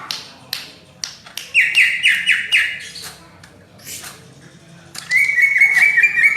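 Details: Greater green leafbird singing steadily, likened to a magpie-robin: a few sharp harsh notes, a series of four clear whistled phrases, scratchy bursts, then a long, even, warbled whistle at the end.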